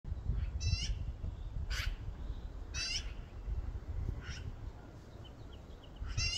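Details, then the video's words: Magpies, far away, give five harsh, rasping calls at irregular one-to-1.5-second intervals over a low rumble of wind or traffic: specific calls made at the start of nesting, recorded 13 April 2024 in spring. "Magpie nesting calls"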